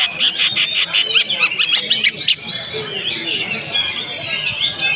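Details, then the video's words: Fighter-style greater green leafbird in a masteran tutoring recording: rapid harsh rasping chatter notes for two seconds, followed by a flowing stream of high, sliding whistled phrases. "masteran cucak ijo prospek"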